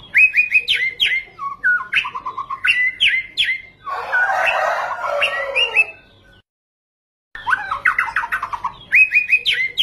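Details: Lively white-rumped shama song used to provoke other birds. It is a rapid run of varied whistles, rising sweeps and trills, broken midway by a harsh scratchy burst and then a second of silence before the whistling resumes.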